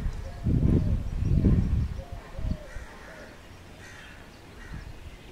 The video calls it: Eurasian collared dove sound